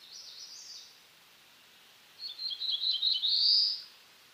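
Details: Black-throated blue warbler singing: the tail of one song fades out, then after a pause comes a full song of short, high, slurred notes that ends in a louder buzzy phrase rising in pitch. No other sounds stand out.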